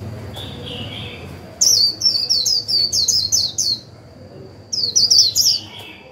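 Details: High, sweet twittering from a decoy Japanese white-eye singing 'líu' to stimulate other birds: a quick burst of about eight tumbling descending notes, a pause, then a shorter second burst, with a faint steady whine throughout.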